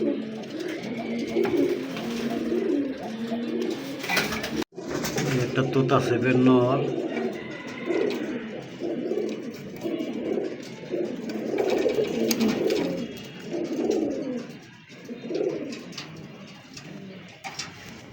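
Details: Giribaz high-flying domestic pigeons (Columba livia domestica), males and females, coo indoors in low, throaty, rolling phrases while a person talks nearby.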